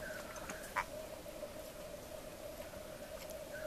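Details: Black grouse lek on an April morning in Svartådalen, Västmanland, Sweden: a steady, low bubbling coo runs without a break, broken by one brief sharp hissing note and a few faint higher calls.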